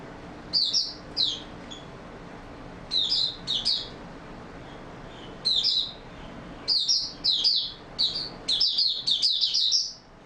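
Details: Oriental white-eye singing in steady open form, recorded 28 February 2022: quick bursts of high, thin twittering notes in short clustered phrases, rapid chirps sliding up and down, separated by brief pauses.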